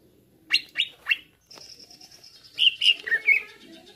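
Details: Greater green leafbird song, used as a bait recording to provoke other birds: three loud sharp downslurred chips, a long thin high whistle, then rich, warbled, falling notes.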